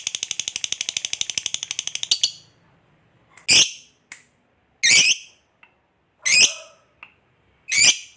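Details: Lovebird giving a long ngekek chattering song, used to prompt other birds to sing: about two seconds of rapid evenly spaced buzzy chatter, then loud harsh screeching bursts roughly every one and a half seconds with tiny clicks between.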